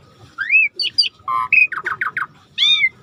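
An Asian pied starling sings a lively jumble of slurred whistles, a steady mid-pitched note and a quick run of dropping chattery notes, over faint low background noise.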